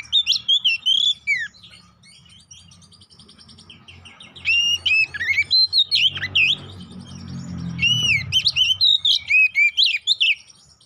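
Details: Oriental magpie-robin, a lure to make the bird emotional and provoke fighting; bursts of loud, varied whistles and trills separated by quieter gaps, with a low rumble in the background.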